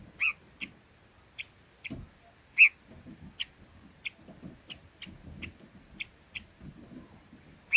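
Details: Red-billed leiothrix calling with a steady series of short, sharp whistled notes, a few louder and fuller, spaced under a second apart.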